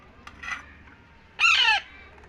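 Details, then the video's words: Baby Indian ringneck parakeet begging while being fed indoors: one short, harsh, harmonic squawk lasting under half a second, bending upward then down, preceded by a fainter, softer call over low room hum. "Raw parrot baby feeding parrot so happy"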